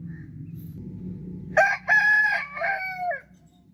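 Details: Rooster crowing once after a low rumbling background: a loud, harmonic cock-a-doodle-doo of about one and a half seconds, broken into short opening syllables and a long drawn final note that falls away at the end.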